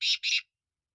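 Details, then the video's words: Two loud, rasping buzzy bursts from a black francolin in quick succession, each about a fifth of a second long, followed by silence. "Kala Teetar Awaz"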